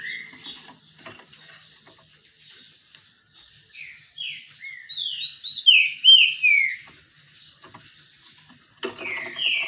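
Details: Green-winged saltator singing while sunbathing: loud whistled phrases of sliding, slurred notes, a rich burst in the middle followed by a pause, then a fresh phrase at the end, over faint background hiss.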